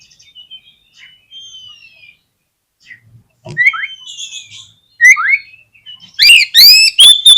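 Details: White-rumped shama song played as a trigger for other shamas: soft thin whistles at first, then downslurred notes and a loud burst of rapid rich whistled phrases near the end.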